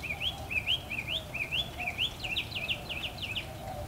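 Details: Loud mockingbird song in a back yard, a rising upslurred note repeated about eight times in a row, then a faster run of sharp repeated notes, with faint noise beneath.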